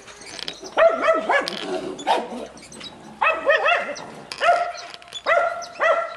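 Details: Finches in a home aviary shared with zebra finches, Gouldian, star and shaft-tail finches, canaries, king quail and diamond doves. They give nasal, trumpet-like calls in clustered bursts, with fainter high chirps behind.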